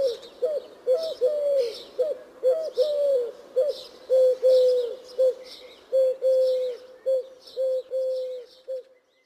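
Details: Eurasian collared dove cooing in a steady stream of low, soft coos, long and short notes overlapping almost continuously, with high thin chirps from other birds throughout.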